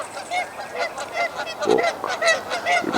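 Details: Geese at a pond around 8:15 a.m. on 6 March 2020, in a territorial goose fight between two close neighbouring territories: quick, harsh, nasal honks, roughly two or three a second, several birds overlapping in an agitated back-and-forth.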